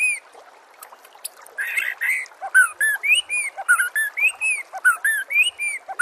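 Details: Masteran training song of the white-rumped shama, meant for tutoring captive birds: a harsh burst, then a steady series of rich, arching whistled notes roughly twice per second, some with sharp high ticks.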